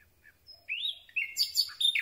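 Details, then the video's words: Nightingale song at night, captured at close range: quiet opening notes, then a rising whistled slur and a run of varied, bright, twisting phrases that climb higher toward the end. "Słowik Rdzawy piękny śpiew"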